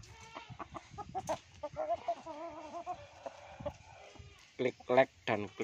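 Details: Laughing chicken (Ayam Ketawa) crow: rapid stuttering harmonic notes, then a wobbling, undulating laugh-like phrase, followed after a pause by several loud, abrupt bursts.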